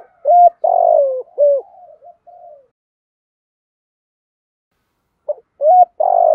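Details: Male and female spotted doves cooing to stimulate singing in training birds; a phrase of short rising notes and a long downward-sliding coo, a pause, then the phrase begins again.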